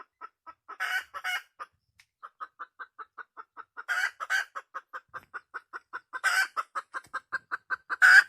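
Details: Clipped rhythmic clucking from a wild red junglefowl hen, with loud rasping cackle bursts near the start, middle and end.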